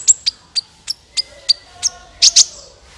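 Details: Sunbird (kolibri ninja) lure call for trapping: about nine sharp, high tsip notes spaced roughly every third of a second, ending with two louder, buzzier notes.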